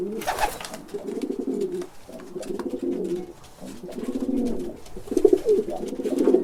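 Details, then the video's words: Pigeon cooing indoors: low, throaty rolling coos in phrases of about a second, repeated several times with short gaps. "Sounds of Canary & Pigeon Birds"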